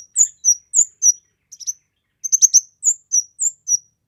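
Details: Gacor kemade song, recorded for masteran, bird trapping and luring: a steady run of high downslurred whistled notes, about three per second, broken by a brief cluster of rapid chirps.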